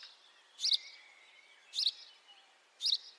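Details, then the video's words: Three well-spaced, emphatic house sparrow cheeps, each about a second apart, recorded on a high-definition mic, with a faint drawn-out whistle from another bird and light background hiss. "House sparrow call, beautiful house sparrow sound [High definition sparrow chirping]"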